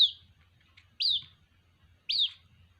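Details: White-breasted waterhen chick calling for its mother: thin, high-pitched peeps that each sweep down sharply, given about once a second, with a quiet low hum in the background.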